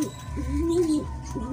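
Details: Racing pigeons kept by a fancier after being moved to a new place; one low, soft cooing note swells and falls over about half a second amid steady background hum and faint voices.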